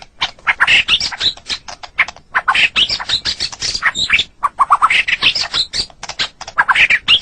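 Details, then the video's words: White-rumped shama, a kept songbird, in a tutor recording for training pet birds: a dense, fast run of varied chirps, squawky notes and short whistles, with barely a pause and a brief gap near the middle. "Suara Burung Murai Batu"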